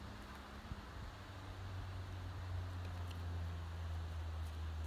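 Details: Outdoors in snow, a steady low hum and wind rumble on the microphone fill the recording, with no animal voice heard.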